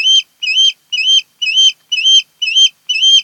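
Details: Osprey, one of a mated pair at a nest on Kent Island, Maryland, 10 August 2018, giving a steady series of seven high whistled chirps that rise and fall, about two per second, with harmonics above.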